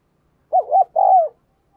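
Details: Single cooing phrase from a spotted dove used as a decoy to stimulate other birds: two brief undulating hoots leading into a longer, slightly descending coo, with no other sounds.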